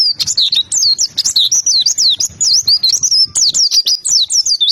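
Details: Lively white-eye song: a continuous stream of very high, quick, swooping chirps, each note sliding up and down and tumbling one after another.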